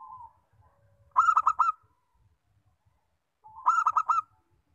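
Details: Zebra dove of local stock, kept for drawing out birdsong: a soft coo, then two loud bursts of fast staccato cooing notes about two and a half seconds apart, with faint low knocks.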